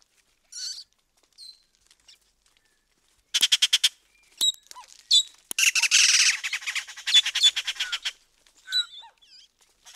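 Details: Yucatan jay (Cyanocorax yucatanicus) calling: short rapid bursts of harsh, rasping squawks with some higher clipped notes between them.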